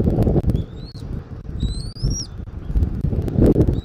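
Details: Bald eagle at a Southwest Florida nest, 13 January 2024, afternoon: two drawn-out, thin, rising whistles ending in a sharp drop, with strong low rumble and bumping sounds.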